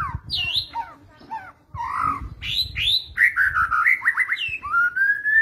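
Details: White-rumped shama singing in the rattling kretetan style used as a trigger recording: varied loud whistled phrases, some sliding downward and others rising, with rapid notes and a long rising whistle at the end.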